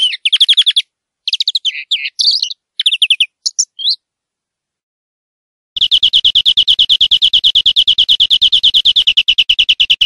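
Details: European greenfinch (Chloris chloris) singing in nature: bright twittering chirps in short bursts, a brief pause, then a long, fast, even trill held for several seconds.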